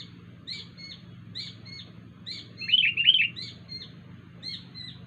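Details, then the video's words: Wild sooty-headed bulbul making an unusual sound: a soft downslurred note repeated roughly every half second, interrupted midway by a louder burst of bubbling chirps, with a low hum underneath. "kutilang liar suara Aneh"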